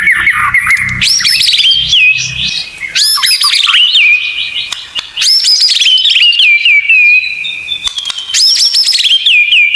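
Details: Tutor song of the white-rumped shama with 'tembakan' fills: four loud bursts of high, steeply rising and falling whistles, each trailing into a long sliding whistle, separated by short gaps.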